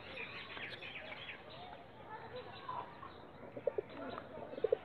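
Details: Ghia Sulli, a yellow high-flyer domestic pigeon, gives soft, low coos in two brief bursts near the end, over a steady hiss of outdoor noise and faint chirps.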